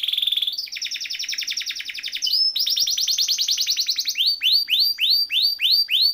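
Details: A canary performs a rolling song used as a tutor for other canaries. Dense buzzy trills shift pitch, then give way to a slower series of loud, looping, falling chirps repeated about twice a second.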